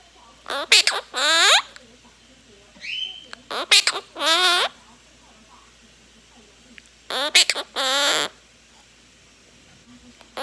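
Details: Three-year-old female monk parakeet kept as a pet, talking and singing with her owner indoors: sing-song voiced phrases in short bursts, one brief thin whistle between them, and pauses of quiet room noise.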